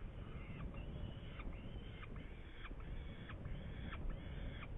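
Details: Saker falcon recorded in Hungary, 8 May 2019, with prey: six or seven harsh, even calls, each flat then dropping at the end, spaced under a second apart over heavy low rumble.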